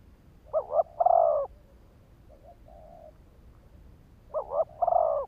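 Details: ['Decoy spotted dove cooing to provoke wild birds: two phrases, each a fast doubled note followed by a drawn-out throaty coo, with a faint trailing note between them in a quiet setting.']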